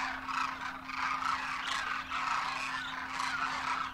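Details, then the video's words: Demoiselle Cranes, wild birds on their Indian wintering grounds in Rajasthan, trumpeting in flight: a thick, continuous mass of rolling, honking calls, with a few clearer notes standing out and a low background drone. "Demoiselle Cranes darken the sky, trumpeting in flight"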